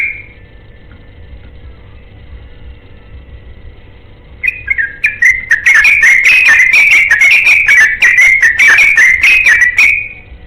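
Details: Yellow-vented bulbul looking for a companion, delivering a long rapid song: after a faint steady whistle, a loud burst of bubbly, warbling whistled notes tumbling quickly up and down for about five seconds.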